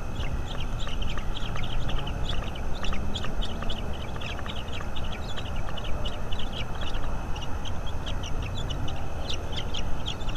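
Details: Bald eagle at its nest in North East Florida, picked up by a live nest camera: bursts of rapid, high, thin chittering notes that run on for several seconds, over a constant deep rumble of wind or background noise.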